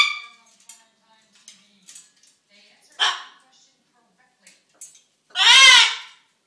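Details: Attention-seeking, hungry pet macaw that talks and dances: faint clicks and scratches, a brief raspy call near the middle, then one loud, drawn-out harsh squawk with layered bright harmonics toward the end.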